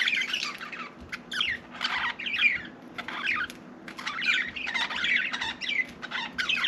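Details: Indoor pet budgerigar with a slightly quieter bout of twittering chatter, short rising and falling warbled phrases broken by clicks and brief gaps.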